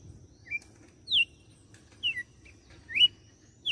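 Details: Brazilian red-cowled cardinal from Fortaleza, Ceará, in açoite song: spaced whistled slurs, some falling and some rising, around six notes in under four seconds, over a quiet low background.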